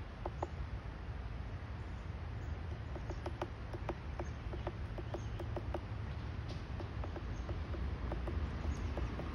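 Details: Woodpecker pecking: scattered woody knocks, roughly three per second but uneven, some single and some in short bursts, against a continuous low rumble and a thin high-pitched hiss.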